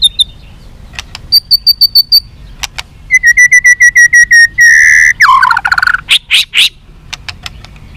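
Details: White-rumped shama singing a long song meant to provoke fighting: pure whistled notes, rapid evenly spaced repeated notes near mid-high pitch, a loud sliding phrase, then sharp clicks and bursts; quiet background hum.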